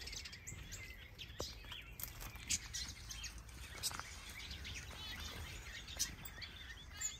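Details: Mixed captive birds, among them finches, softbills, quails, turacos and Java sparrows, in a big planted Danish aviary where many are nesting. A dense, steady chorus of high thin tweets and sharp chips overlaps continuously, with some soft rustling.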